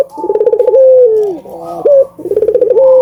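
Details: Albino Barbary dove in full song, meant to provoke doves to call: a buzzing pulsed trill, then a drawn-out descending coo, a brief upswept note, and a fresh trill starting.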